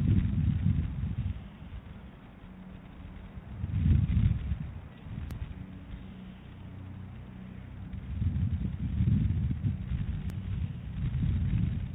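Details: Low rumbling wind noise with gusts swelling and fading, and no animal calls.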